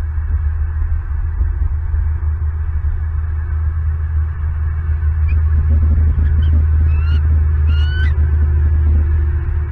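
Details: Bald eagles, a mated pair, perch together on a branch by their nest at night in Southwest Florida, recorded by a live cam. Near the end, two short, rising, whistled calls sound over a continuous low hum.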